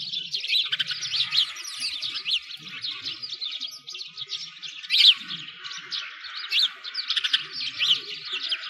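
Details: Sparrows by a frozen lake in a Moscow park, Russia, during winter; a continuous, thick twitter of many overlapping sharp chirps, with occasional louder individual calls standing out.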